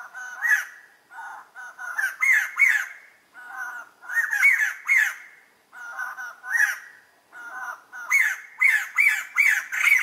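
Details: Laughing call of white-crested laughingthrush (Garrulax leucolophus). A raucous chorus of nasal hoots breaks into rapid, harsh cackling bursts, repeated in waves about every two seconds, with loud chattering clusters at the end.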